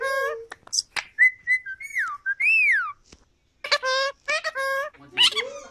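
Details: A pet cockatiel gives clear whistled notes and a swooping rising-falling whistle, then a burst of raspy, voice-like syllables imitating the word "peekaboo".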